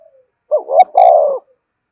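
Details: A single clear spotted dove coo phrase for luring: two short rising notes run into a longer, steady, slightly falling hum, with a faint click at the break, in quiet surroundings.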